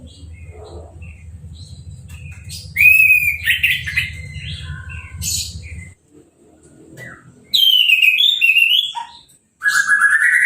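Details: Orange-headed thrush in a cage, newly moulted and sprayed with a hose, singing uncovered. Loud harsh and whistled phrases in bursts separated by short gaps, with steady low noise in the first half.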